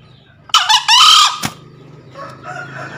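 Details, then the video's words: A male green junglefowl used as a lure, calling to a rival, gives a single short, harsh crow with a hoarse, broken two-part quality, under a second long, then a sharp click and faint background murmur. "Suara Pikat Ahh Jantan Memanggil Lawan"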